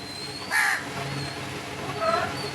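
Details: Crows calling: a single harsh, broad caw, then a second fainter caw about one and a half seconds later, with thin high chirps from other birds in the background.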